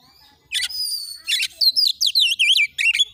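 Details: Kacer, the oriental magpie-robin, singing as training bait to goad other birds into fighting display: a drawn-out high whistle with raspy bursts, then a quick series of looping, whistled notes descending and rising.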